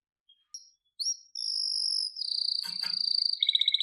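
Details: Canary song beginning with a few soft chirps, then a long sustained high whistle flowing into a pulsing trill that quickens into a fast clipped rattle at the end.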